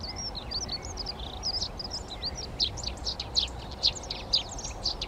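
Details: Tree sparrows (Passer montanus) claiming nest boxes in a Přerov garden, 19 March 2020; soft twittering builds into louder, rapidly repeated high chirps, roughly two per second, with other garden birdsong mixed in.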